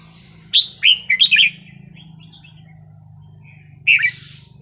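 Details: Wild-style song of a red-whiskered bulbul: a tight run of four or five bright, whistled notes, a long quiet gap, then one more rich chirped phrase, with a steady low hum throughout.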